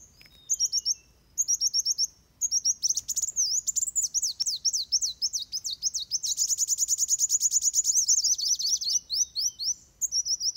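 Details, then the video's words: Van Hasselt's sunbird fighting song, used for training other birds, delivered as very high, thin twittering: short bursts of rapid zigzag notes, then a long unbroken run of fast piercing trills and squeaky chips. "Suara Kolibri Wulung Tarung Buat Masteran"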